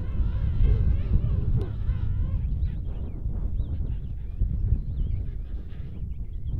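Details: King penguins, a group believed to be males, slapping and fighting at the start of the breeding season at the Volunteer Point rookery, Falkland Islands. Overlapping, wavering, harmonic braying calls rise and fall over a heavy low rumble, likely wind.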